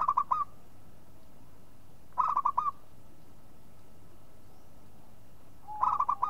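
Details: A local zebra dove repeats its call roughly every two seconds, each time a rapid burst of four to five soft, musical coos ending in a rising curl. The background is quiet.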